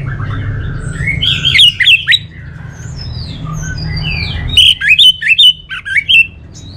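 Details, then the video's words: Orange-headed thrush song used as a training sound for contest songbirds in North Bali: bursts of sharp, warbled notes, a quieter stretch of slurred whistles, then loud staccato chirps repeated rapidly, over a steady low hum. "Suara ANIS MERAH"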